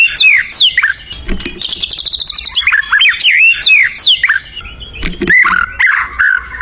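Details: White-rumped shama in the wild, in lively song: bright swooping whistles, a burst of very high, fast rattling notes, then varied whistled phrases and a few dull knocks.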